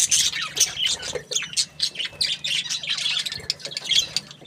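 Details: Budgerigar chirps happily in a steady run of high, squeaky notes and little squawks, evenly spaced bursts of chatter throughout.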